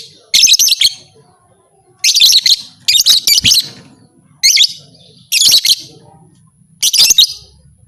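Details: A lovebird repeats sharp, grating, high chattering bursts roughly every second or so, six clusters of rapid notes, a call claimed to stimulate other lovebirds to become fighters.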